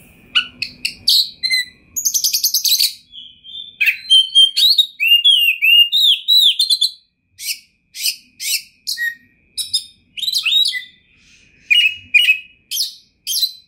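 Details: Oriental magpie-robin singing energetically, with a full varied repertoire; varied clear whistles, sweeping slurred notes, harsh bursts and short chips, with irregular spacing between phrases.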